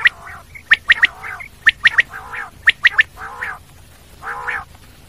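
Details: Common quail: sharp triple notes repeated rapidly, interleaved with broad, nasal, buzzy calls that continue alone toward the close.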